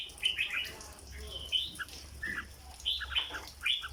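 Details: Red-whiskered bulbul kept as a cage bird, giving dok-style song: fairly soft, clipped whistled notes in short bouncing phrases, several separate bursts over a few seconds, with a faint low hum behind.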